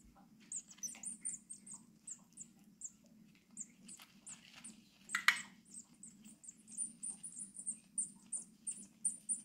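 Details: Tit chicks aged six days beg for food at a wild bird rescue in Brilon, Germany, after being taken from an abandoned nest box. Scattered high peeps build into a rapid chorus, with a brief clatter midway and a low hum throughout.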